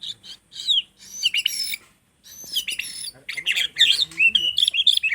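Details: White-rumped shama, a young bird learning to sing, gives a varied run of bright whistled and chattering notes, sliding and warbled phrases broken by short pauses, with a brief gap near the middle.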